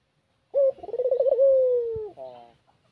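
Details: A Barbary dove in the afternoon gives a single mellow coo, a soft rolling stutter flowing into a long, slightly falling held note with a brief husky tail, used as a lure to draw rivals for trapping.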